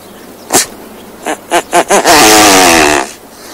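Great bustard: a sharp click, then four short throaty pulses and a harsh, rasping, drawn-out grunt lasting about a second.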